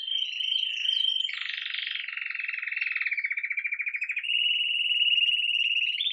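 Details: Campainha-style song of a red mosaic agate Belgian canary beginning its day, recorded live: continuous rolled trills shifting between steady pitches, one harsher burst, then a smooth even roll and a higher whistle at the end.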